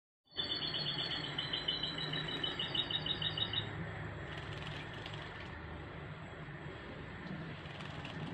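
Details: Goldfinch hybrid singing while bathing in a shower during the coronavirus period: a rapid, high, tinkling trill of repeated notes for about three seconds, then steady rushing water noise.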